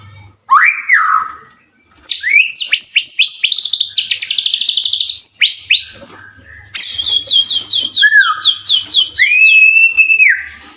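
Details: White-rumped shama in full song, used to provoke other shamas into answering; loud, varied phrases of rising whistles, rapid rattling trills and sweeping high notes, with a long steady whistle near the end.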